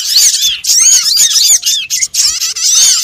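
Small birds twitter in a dense, continuous stream of high, squeaky chirps and rising-falling whistles that overlap without pause.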